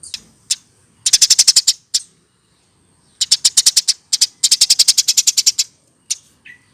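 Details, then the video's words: A hand-reared Eurasian tree sparrow, older than one year, delivers long trains of fast, bright chips, some with eight and others with about fourteen notes, with isolated chips between them and a soft lower note at the end. "Dari lolohan!!Umur 1 th keatas burung gereja baru bisa seperti ini"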